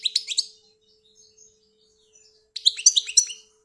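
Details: European goldfinch, a bird from Algeria, giving two bursts of quick, bright twittering notes separated by about two seconds of near silence with soft scattered chirps, over a faint electrical hum.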